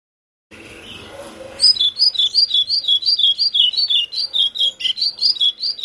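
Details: Lined seedeater singing a steady run of clear two-part notes, each sliding from high to lower, about three per second, after a short stretch of low background murmur.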